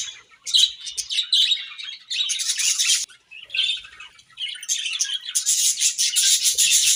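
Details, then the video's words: Pet budgerigars chirping while eating grass: bursts of busy, scratchy high warbling and squeaky chirps that start and stop every second or two, sometimes overlapping, in a small indoor space. "Beautiful Budgies Grass Eating Chirping Sounds"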